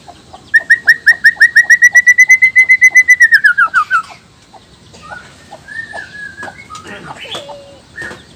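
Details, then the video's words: Male white-rumped shama of the black-tailed form from Nias, singing to provoke rival males: a fast train of about two dozen loud, even whistled notes that slurs downward, followed by quieter varied warbled phrases. "suara alam khas murai batu blacktail,ekor hitam,nias..suara ini bisa bikin auto emosi murai lain.."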